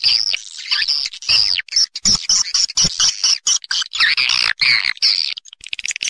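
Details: Swiftlet roosting lure call meant to attract the birds: dense overlapping buzzy chirps and twittering notes, with a few low dull thumps underneath.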